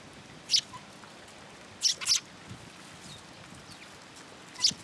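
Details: Sparrows coming to a feeding platform for food at a Tenmangu shrine on an afternoon in March 2023, giving short, high, sharp chirps, single or paired, spaced over a few seconds against soft outdoor background noise.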